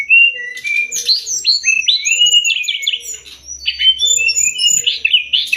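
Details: Sumatran leafbird master song used to train songbirds: a rapid, varied run of high whistled and slurred notes, rising and falling sweeps with chattering bursts, continuous and busy, with a faint low hum beneath.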